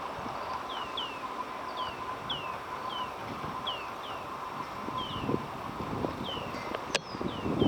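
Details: Greater painted-snipe, a parent (the male raises the young) with newly hatched chicks that hide under it: thin, high, downslurred peeps, often in quick pairs, about every half second, over low distant rumble.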